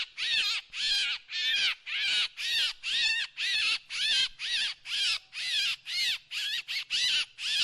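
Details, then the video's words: Steady rhythm of loud, rasping drongo notes, each buzzy and slightly warbled, repeated almost twice a second throughout with no other sounds. "เสียงนกแชงแชว ສຽງນົກແຊວ"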